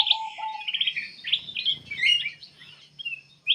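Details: Black-capped bulbul singing in full, lively song used as a lure to prompt other birds to sing: a rapid jumble of bright, varied chirps and short whistled phrases, with lower clear whistles early on and a sharp note at the end.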